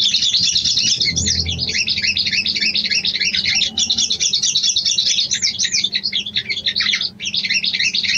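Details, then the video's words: A female sooty-headed bulbul calls to a male, used as a lure to rouse breeding arousal. She gives an unbroken, high, twittering chatter of quick warbled notes, several per second, over a faint low hum. "SOGON BETINA MEMANGGIL JANTAN"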